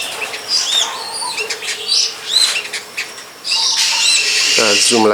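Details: Wild long-tailed shrike perched behind a house, giving scattered high chirps and short whistled slurs, then a louder harsh rasping passage; a man starts speaking at the end.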